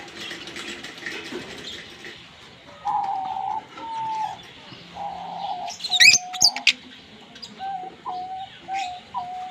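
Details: Green Fischer's lovebird pair singing and chirping while kissing: scattered sharp high chirps and squeaks, a cluster of bright squeals near the middle, over steady mid-pitched whistled tones from other birds.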